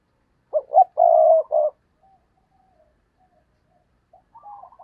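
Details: Decoy spotted dove cooing to provoke wild doves: one loud, low, hoarse phrase of two short coos and a longer drawn coo, then near silence with soft trailing coos at the end.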